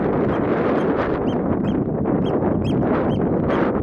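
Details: Eurasian oystercatcher at Boterhuispolder, the Netherlands: a series of short, sharp piping notes, roughly two per second, partly buried under strong, roaring wind noise.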